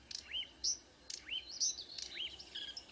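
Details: Marsh warbler at dawn, 2 June 2009, Kråkstad, Norway: three upward-swooping whistled notes, each paired with a piercing high squeak, spaced about a second apart.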